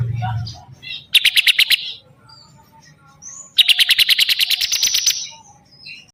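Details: Bar-winged prinia delivering two bursts of song: a short fast trill of sharp notes, a quiet gap with faint chirps, then a longer rapid trill of about fifteen ticking notes.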